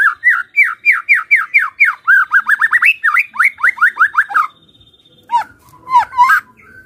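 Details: White-rumped shama giving a 'kretekan fighter' call meant to provoke a reply from quiet shamas. Loud, fast, chopped notes repeat steadily for over four seconds, then stop. After a brief pause, a few sharper squeaky notes follow.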